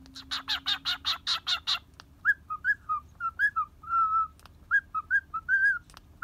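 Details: Pet cockatiel boarding at a bird hotel in Kobe, Japan, playing while perched and balancing on a hand in a good mood; a rapid run of about eight harsh chattering notes, then short, clear, bouncing whistled notes.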